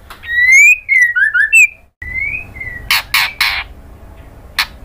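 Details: Female white-rumped shama calling the male: a run of loud, slurred whistled notes with high overtones, a brief break, softer whistles, then three harsh rasping bursts and one short final rasp.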